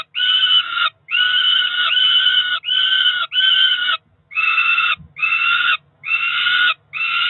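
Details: Peregrine falcon chicks about four weeks old, two ringed siblings at a nest in Cromer, June 2023, calling at breakfast feeding time: loud, harsh, banded wailing cries around a second long, repeated with short gaps.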